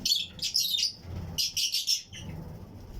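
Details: Fischer's and lutino lovebirds in a flight-cage colony aviary, pairs chirping and singing alongside other birds: dense bursts of high, squeaky chirps in two clusters, with low background rumble between them.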